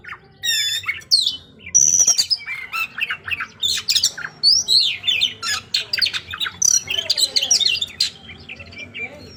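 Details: White-rumped shama in full song: loud, fast, varied phrases of harsh squawks, sharp chips and bright whistles, in rapid pulses over a faint background hum.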